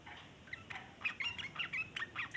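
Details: Sooty-headed bulbul 'ngeriwik' chatter for luring other bulbuls: a short burst of quick, scratchy, slurred notes building in loudness, run together almost without pause.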